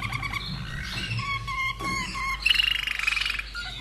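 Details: A common nightingale kept in a cage in Austria, hatched in 2011, sings soft whistled phrases, then a loud, rapid trill of about a second, with a constant low hum beneath.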